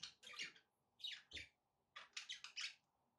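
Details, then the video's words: Pet budgies give clusters of quick, scratchy chirps in three groups over about three seconds. A low room hum sits beneath the calls. "budgie sounds with background noise for relaxation"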